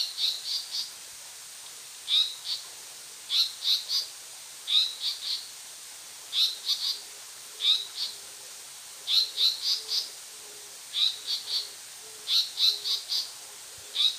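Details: A male Japanese paradise flycatcher on Nojasan gives alarm calls: sharp, high chirps in quick pairs and triplets, repeating every second or so, over a faint steady background hiss.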